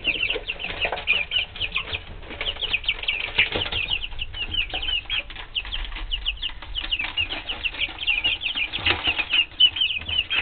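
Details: Three-week-old pet chickens peep almost continuously, a dense overlapping chorus of high, thin, downslurred cheeps from several birds, with faint low rumbling beneath.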